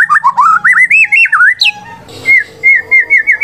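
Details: White-rumped shama song used as a lure to provoke silent shamas into singing: loud, clear whistled phrases wavering up and down, then short bright upslurred whistles repeated about three times a second, with faint background hum.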